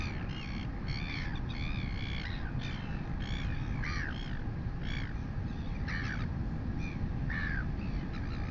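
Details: Royal albatross chick fed by its mother, the female chick's crop very full, filmed by a live camera in New Zealand on 23 August 2020. Rapid harsh, buzzy squawks and clacking bursts repeat throughout, with deep wind rumble beneath.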